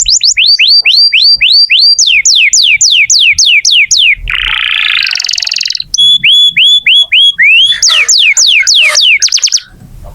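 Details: Canary singing briskly to prompt young canaries or ones that have gone quiet. Series of sweeping slurred whistles are broken by a harsh buzzy burst midway, followed by clear repeated whistles.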